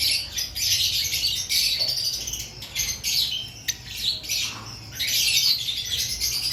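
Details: Aviary lovebirds before breeding season, a flock producing continuous harsh, high squeaky chatter and screechy bursts, loud throughout with short gaps between rapid overlapping calls.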